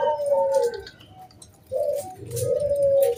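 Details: Zebra dove, a local wild bird, singing to coax other doves into song: two long mellow coos with a slightly falling end, separated by a short pause, against faint low background rumble.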